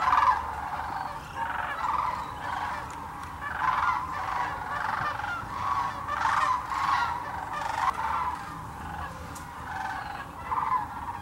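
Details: Thousands of sandhill cranes at Hiwassee Wildlife Refuge, East Tennessee, filmed with a GoPro or Canon camera; continuous overlapping bugles and rolling rattles pulse every second or so from the massed flock.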